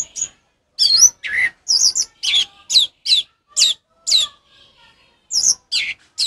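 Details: Orange-headed thrush in 'ngeplong' song, played to train caged birds that no longer sing; varied whistled and chattering notes, some sweeping up or down, delivered about once every second with brief pauses.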